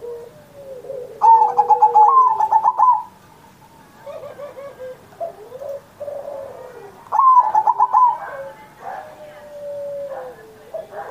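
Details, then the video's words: Zebra dove singing steadily, kept as a master bird to bring other doves into song: two long bursts of rapid rolling coos about six seconds apart, with softer chirps and whistles between. "Perkutut Masteran Manggung Gacor Mancing Burung Lain"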